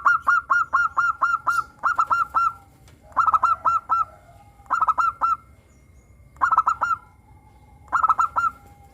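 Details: Local zebra dove with a crystal-clear voice, played to prompt captive doves to sing: rapid series of staccato coo notes in bursts, each phrase closing with a longer note, repeated roughly every one and a half seconds.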